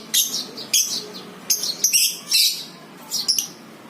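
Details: Lovebird used as a lure recording to trigger ngekek singing, Batman versus Violet FC lovebirds: sharp, loud, high chirping bursts about a fifth of a second long, repeated in irregular clusters, over a faint steady hiss.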